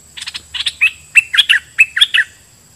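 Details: Red-whiskered bulbul used as a caged decoy, singing doubled phrases at wild birds: short bright chirping whistles in tight clusters, some rising and dipping, repeated in quick bursts over a faint steady high hiss.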